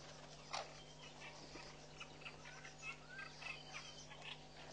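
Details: Nest-building Southern masked weavers at Pete's Pond, Mashatu Game Reserve, Botswana, February 2012. Soft, scattered high twitters and short tweets, one louder note near the start, with a steady low hum underneath.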